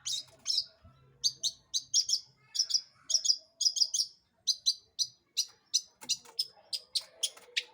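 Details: Lure song of a long-tailed shrike for provoking other birds to sing: a steady series of piercing, high, clipped notes, often in quick pairs or triplets, separated by short pauses, with little background sound.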